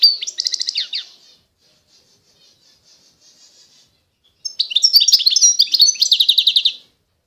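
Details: Eastern Algerian goldfinch of authentic Constantine stock: a short jangling trill, a few seconds of soft quiet notes, then a longer lively phrase of tinkling twitters ending in an evenly pulsed rapid trill.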